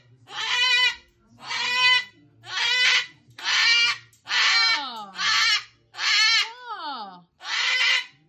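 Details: Pet umbrella cockatoo throwing a tantrum gives eight harsh, raspy screams about once a second, several ending in a downward slur, while a person speaks faintly in the background.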